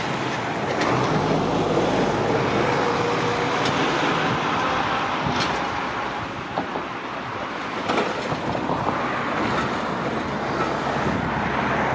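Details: Steady traffic rumble and passing vehicles fill the recording, with no clear animal call standing out.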